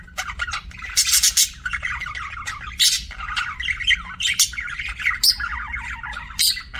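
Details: Chirping budgies producing a lively run of buzzy trills, squeaks and harsh bursts, nearly unbroken, with a soft background hum.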